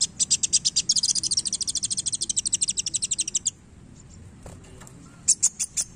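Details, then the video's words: A kolibri wulung sunbird in full song as it plays its tail delivers a long, rapid, steady trill of high piercing notes for over three seconds, pauses, then adds a few chirps. "KOLIBRI WULUNG GACOR Main Ekor"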